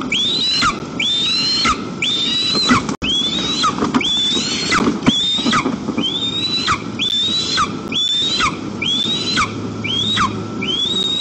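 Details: White-tailed eagles as a whole family visit their nest in daytime, afternoon of 1 September 2022, Almetyevsk region, Tatarstan, Russia: a steady series of sharp rising-then-falling yelps, roughly one every second, over faint background hum.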